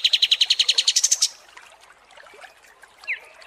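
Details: Kapas tembak songbird heard in long masteran audio used to train contest birds: a quick trill of about one second whose notes climb higher toward the end. A faint single chirp follows after a quiet gap.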